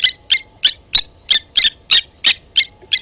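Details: At a waterhole on Djuma Game Reserve in South Africa's Sabi Sand Wildtuin, 08/29/20 at 07:47, blacksmith lapwings call during an adult's killing of a chick at the nest: ringing tink notes, about three per second, some doubled.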